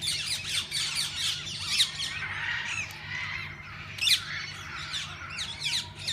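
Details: Many parakeets in a walk-in aviary at a parrot park: a dense chatter of scratchy squawks and twittering notes, building into a rolling chorus with a sharp loud burst near the end, over a low hum.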